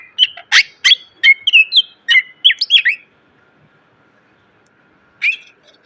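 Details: Greater green leafbird tutor song for training cage birds, loud and full of varied phrases: about three seconds of quick whistled, slurred notes, then a pause and one final rising chirp.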